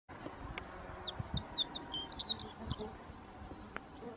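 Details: Horned larks: a rapid, irregular string of thin, high tinkling and twittering notes runs through the middle seconds over a steady low rumble, with a few sharp clicks.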